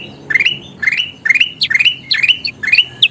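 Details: Kutilang emas (sooty-headed bulbul) singing actively, for teaching songbirds to sing: bubbly whistled phrases that rise then level off, repeated about twice a second in clusters, each ending with a sharp high note.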